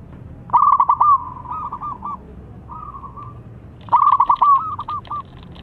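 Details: Wild local zebra dove with a strong voice, calling as a lure to prompt other doves; two loud phrases of rapid, clipped coos trailing into softer, drawn-out notes, over faint low rumble.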